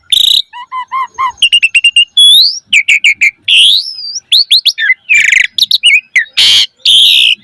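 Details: Asian pied starling in energetic gacor song as a training lure: a rattling series of short harmonic notes, a rising whistle, rapid chip bursts and loud harsh squawks.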